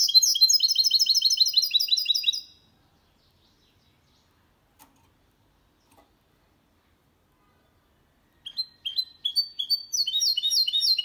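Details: Goldfinch × canary hybrid song, meant to stimulate males and teach young birds: a rapid, even trill of high chirping notes for over two seconds, a long silence, then another fast twittering trill.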